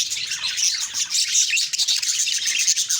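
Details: Budgies in the morning chirp busily, with bright high twitters, short whistled squeaks and scratchy warbling all running together.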